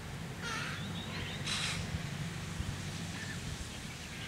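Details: White-winged Chough family group in the Capertee Valley, NSW, October 2018. Two loud, rasping, broadband bursts arrive about a second apart, followed by softer scattered notes over a low droning hum.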